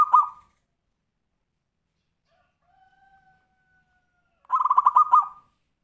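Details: Tumpang Sari song of a zebra dove (kutut), a style used to prompt other birds to sing: a phrase ends abruptly, a faint thin steady tone follows, then a full phrase of about eight quick rolling coos.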